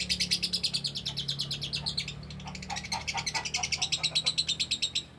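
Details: Lovebird long ngekek: a continuous rapid stream of high, rasping chattering notes, about three per second, unbroken for the whole stretch over a low mechanical hum.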